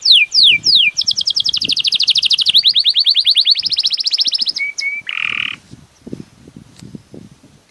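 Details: A Belgian canary sings sharp descending notes and then a long, fast rolling trill, ending with a short flat whistle and a buzzy note before falling quiet.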